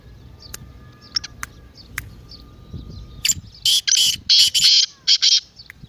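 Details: Teetar partridge giving its spirited call, meant to make a quiet bird start calling: faint ticks and clicks at first, then around seven loud, rasping bursts delivered rapidly over two seconds.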